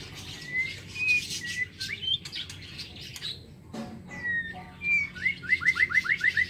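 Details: White-rumped shama in an aviary singing in the morning: a few short level whistles, a brief pause, then more whistles ending in a fast run of about seven sharp downslurred notes, with clicks and a low hum beneath.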